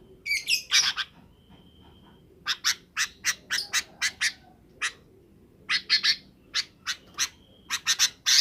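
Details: Sooty-headed bulbuls calling in the afternoon, summoning companions to roost: bursts of bright, chattering notes in quick clusters, several short series spread across the clip with brief pauses between.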